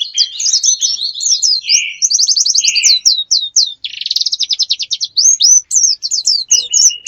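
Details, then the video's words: Recording used as a lure for wild birds: fast, varied high chirping with rapid trilled runs of evenly repeated notes, upslurred whistles and a few harsher buzzy bursts, continuing without pause for about seven seconds. "Pikat ampuh,untuk pancingan burung liar"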